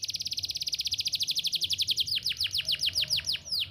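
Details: Canary chirping used to help young canaries learn song: a fast even trill of bright high pulses shifts into a slower run of sharp downslurred notes.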